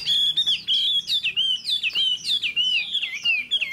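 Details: Caged Chinese hwamei, a wild-caught male about 95% tamed, that fans its tail and spreads its wings in display; loud clear whistled phrases, each sliding and warbling high, delivered in quick succession with short pauses.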